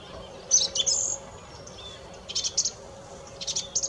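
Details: Song thrush delivering short bursts of high, clipped notes. A loud cluster comes first, then similar clusters repeat after pauses, over a faint steady hum.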